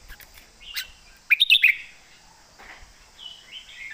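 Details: Red-whiskered bulbul giving a southern Thai master-song style phrase, loud and clear: a quick bright burst of whistled notes, then a softer slurred whistle near the end, over a faint high background hum.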